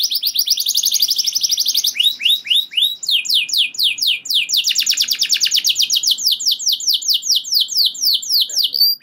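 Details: Canary singing long rolling phrases that trigger other canaries: rapid high notes give way to swooping slurs and a long accelerating buzzy trill, bright and unbroken.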